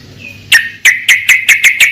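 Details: Brief yellow-vented bulbul lure recording for a bird that has gone quiet: a short run of about six sharp, ringing chip notes, evenly spaced and slightly accelerating.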